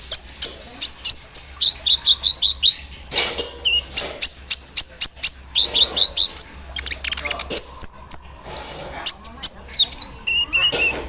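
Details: Javan sunbird in full song during morning dew exposure, a caged bird whose repertoire reportedly imitates an embroidery machine: dense, continuous high-pitched twittering of rapid chips, sweeps and buzzy notes, almost without pause.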